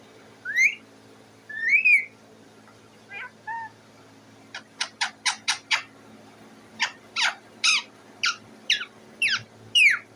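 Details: Pet parrot sitting on its cage, calling for food: a few rising whistled notes, then a run of short harsh squawks repeated in quick bursts, with a low steady hum underneath.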